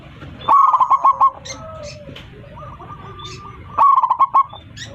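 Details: Local zebra dove calling its flock with a loud voice: a quick run of staccato coos, then a softer purring trill and drawn-out notes, followed by another rapid burst of coos near the end.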